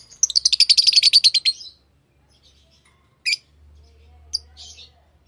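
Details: Tame pet lovebirds chirping: a fast burst of about fifteen shrill, high chirps over a second and a half, then a pause, a single sharp squeak and a few softer high notes, with a faint low hum.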